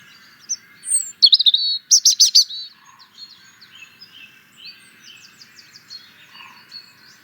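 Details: Song of the European robin, with a clear wavering whistle followed by a rapid stuttering series of high notes, then soft scratchy trills fading away.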